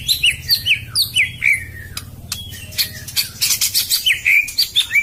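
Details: Song of a white-rumped shama used as a lure, repeated downslurred whistles in a quick series, then a pause with clicks and more high descending notes.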